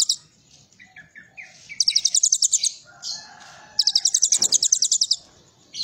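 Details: Kolibri ninja performing its cililin-filled song: short lower chirps lead into two bright, rapid high trills, with softer mid-pitched warbling and a brief click between them.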